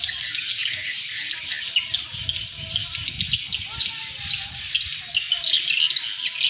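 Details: Swiftlet call used to attract swiftlets: dense, high, buzzy chirping chatter continuing without pause, with faint lower whistled notes and a low rumble in the background.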